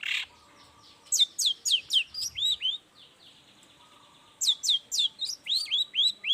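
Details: Long-tailed shrike's morning lure song to make quiet shrikes answer: two series of high, down-slurred whistled notes repeated rapidly, about four per second, with a short harsh note opening the sequence.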